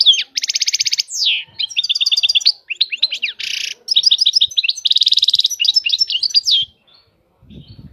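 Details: European goldfinch delivering varied song: buzzy ringing trills, a sweeping descending note, tight chattering runs and a harsh rasp, ending after a short silence with a low rustle.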